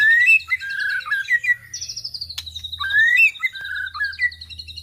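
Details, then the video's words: White-rumped shama song used as a lure for other birds: rich varied phrases of whistled upslurs and warbled notes, with a sharp click near the middle and a steady low hum underneath. "pancingan murai batu"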